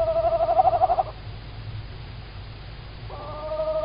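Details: Evening call of a female tawny owl, very close, Estonia, March 2019, live camera: a one-second hoarse, quavering note with a fast tremolo, a pause, then another drawn-out nasal call begins, with a faint low hum throughout.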